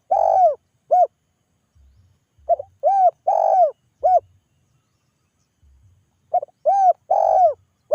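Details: Spotted dove giving a vigorous calling coo meant to make other doves answer; three mellow phrases of a brief note, a long arched coo and a short clipped coo, with quiet gaps between them and a faint low rumble.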